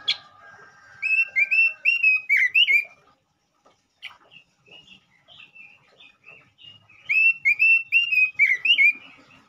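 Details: Lure song of a male robin meant to provoke other robins: a fast run of ringing whistled slurs, a quieter warbled middle section, then another loud burst of repeated bright whistles.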